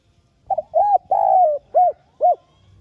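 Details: Spotted dove lure cooing, played to stimulate caged doves to call: a soft short double coo, then a longer note and a drawn-out, slightly falling coo, followed by two brief rounded coos, all low and mellow, in near silence.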